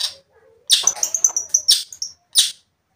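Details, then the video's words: Long-tailed shrike singing energetically, used to provoke another shrike: harsh, broadband rasping bursts mixed with short high whistled notes in a quick run, then a final lone rasp after a pause. No other sounds. "pancingan cendet biar emosi | cendet gacor memancing emosi cendet lain"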